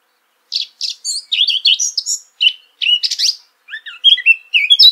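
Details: A Eurasian blackcap opens with rapid, scratchy chattering notes in separate bursts, then moves to clearer, lower whistled phrases toward the end of the song.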